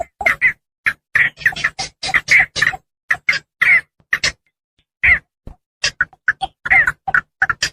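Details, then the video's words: Javan pond heron sounds used as a hunting lure. Bursts of grating squawks come in quick clusters, broken by a near-silent gap before the calling resumes. "suara pikat burung blekkok sawah,puchong rawa"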